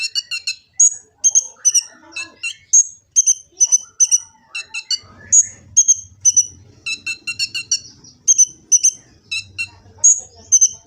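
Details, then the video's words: Sunbird called kolibri ninja, recorded on a phone in Gresik, East Java, for use as a master song in bird training; continuous string of high sharp chirps and short trills, with a faint low rumble in the background. "Kicau burung kolibri ninja full isian"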